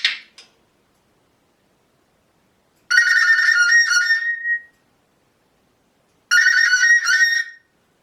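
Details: African grey parrot, a pet male, imitating fart noises: two drawn-out buzzy, rasping bursts about 1.5 seconds each, separated by a pause, with a person's voice briefly heard beforehand.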